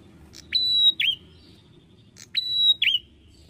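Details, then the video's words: Song of a bar-winged prinia, called prenjak atas. A crisp tick opens a steady high whistle, followed by a quick down-and-up slurred note. The phrase comes twice, roughly two seconds apart, over quiet background hum. "KECIL ,UNIK ,GACOR MENARIK || PRENJAK ATAS"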